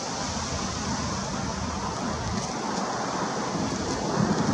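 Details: Continuous hiss of wind or distant traffic like rain on a surface, with no animal call.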